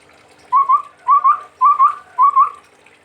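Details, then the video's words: Chestnut-rumped babbler, a bird from Sumatra, giving a clear whistled song: two-note rising phrases repeated four times, roughly every half second, in a quiet setting. "Tepus Tunggir Merah Gacor"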